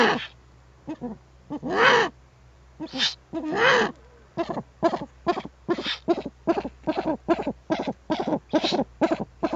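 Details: Nest webcam on 21 April 2020 with an adult Eurasian eagle-owl and owlets: two long rough screeching calls, followed by a rapid run of short sharp raspy notes repeated about every half second.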